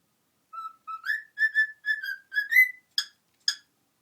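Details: Male talking, singing pet cockatiel chatters in a run of whistled, speech-like syllables, ending with two sharp clicks, while being coaxed to show off his words and songs.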